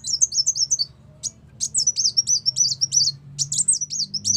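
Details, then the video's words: Ruby-cheeked sunbird, recorded as a trapping lure: a quick run of high slurred whistles, a short gap with a single note, then a long rapid chattering warble of thin, sharp high notes over low hum. "pikat burung kolibri wulung masteran"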